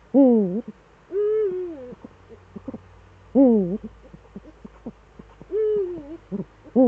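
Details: Eurasian eagle-owl pair, both returned, Eifel, Germany, 18:47 on 11 March 2013; low calls alternate: loud wavering notes dipping in pitch and steadier drawn-out notes, roughly every two seconds, between soft clicks.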